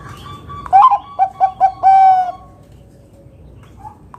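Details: A zebra dove of the Bangkok type, a loud singer meant to lure others into song, gives a rising opening coo, three short staccato notes, then a long level final coo in 'kung besar' style. Faint soft cooing follows.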